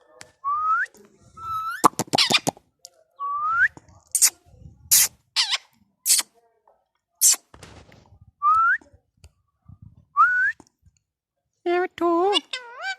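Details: A pet Indian ringneck parakeet, urged by its owner to dance and whistle, gives short rising whistles, harsh screechy bursts and a wavering, voice-like mimicked phrase at the end.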